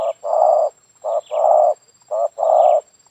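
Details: Spotted dove calling in a yard, its call used to lure other doves. A steady rhythm of a short note followed by a long, buzzy coo repeats about once a second, with faint high bird chirps behind.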